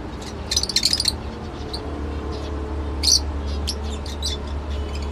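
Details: Lovebird making a quick rattling burst of high chirps, then scattered faint squeaks over a steady low hum.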